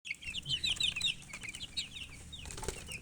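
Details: Baby chickens chirping: a busy stream of high, shrill peeps, several chicks overlapping, with quick downward-slurred notes bunched in the first second and scattered calls after, over a faint low background hum.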